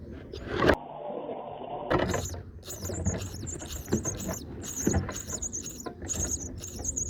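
A Brahminy starling gives high, squeaky chattering notes in quick repeated bursts, over low background rumble and a loud handling knock at the start.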